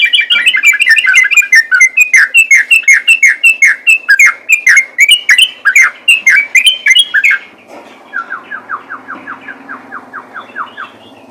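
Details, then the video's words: Sooty-headed bulbul (trucukan) in a fight, delivering ropel-style chatter: about seven seconds of loud, quick, evenly repeated sharp notes, followed by a softer, lower run of short notes over a faint background murmur. "BURUNG TRUCUKAN ROPEL TARUNG"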